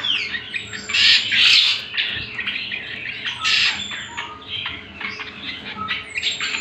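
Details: Greater green leafbird song for training other birds: loud, bright chattering bursts and rapid harsh notes, with thin high whistles between them.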